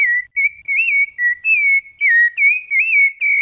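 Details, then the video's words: Brumado fluted song (canto flauteado) of a rufous-bellied thrush: pure whistled notes, some level and some rising or dipping, in short phrases separated by brief gaps, with nothing else audible. "SABIÁ LARANJEIRA BRUMADO CANTO FLAUTEADO"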